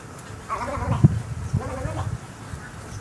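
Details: Snowy egrets producing low, bleating, gurgled croaks in two bursts roughly a second apart, rough and throaty, over background hiss.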